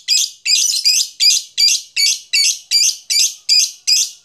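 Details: Lovebird ngekek, the long chatter used to excite other lovebirds into calling: harsh, grating, broad-toned bursts repeated steadily, about two and a half per second, with no other sounds.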